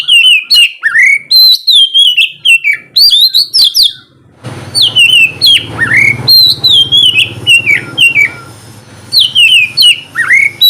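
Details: Oriental magpie-robin singing loud ngeplong song in the morning as a lure for lazy birds: repeated bursts of clear, slurred whistles and chirps, with a steady low hum in the background after the first few seconds.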